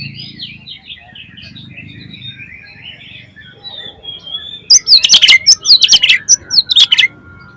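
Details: Lure song of an Oriental magpie-robin, used to excite other magpie-robins into singing: a quiet run of warbled twittering gives way to a loud burst of sharp, sweeping whistles and snapping clicks.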